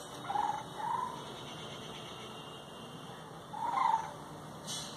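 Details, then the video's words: Bird in rural Bengal giving brief warbling mid-pitched notes, two close together then one more after a pause, over a constant high-pitched hum. "গ্রামবাংলার পাখির ডাক"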